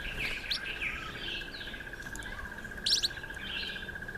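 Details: Streaky-headed seedeater, also called streaky-headed canary, eating sunflower seeds. Soft twittering notes and a brief burst of sharp high chirps about two-thirds through, over a steady, thin, insect-like whine running the whole time.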